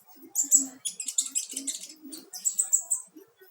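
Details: Young, still untrained sunbird practising its song, kept for tutoring other birds: high, thin twittering chirps in two quick bursts, notes rapid and sharply repeated, with a short pause between bursts and faint low murmuring underneath.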